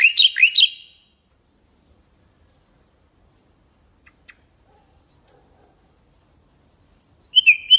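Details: Common nightingale song used for training goldfinches and canaries: opens with a quick burst of rising, slurred whistles, falls silent for several seconds, then delivers a series of high, clear whistled notes in a row, ending in warbled slurs.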